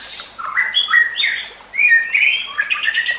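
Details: White-rumped shama (murai batu) training song: short bright whistled phrases and slurred notes, some overlapping, with faint background hiss.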